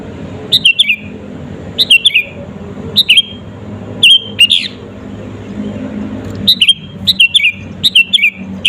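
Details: Vocal 'gacor' sooty-headed bulbul song meant to make rival birds agitated: repeated clusters of two or three falling whistled notes, a pause mid-way, then a rapid run of phrases, with low traffic-like rumble behind.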